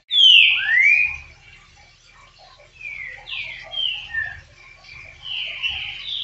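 Green-winged saltator song: two loud, clear whistles open the phrase, one falling and one rising. Softer, shorter whistled notes follow at a steady, unhurried pace.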